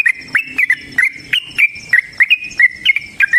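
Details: Trucukan, or sooty-headed bulbul, pouring out a continuous fighting song in the long 'ropel' style. Clear liquid whistles, some slurred upward and some downward, repeat rapidly at roughly three per second.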